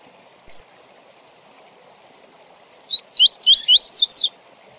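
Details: Double-collared seedeater, a tournament bird, singing the tui tui zel zel song style used to train birds. A lone high chip comes first, then a quick run of about seven whistled, sweeping notes that rise and fall, ending in brighter slurred notes.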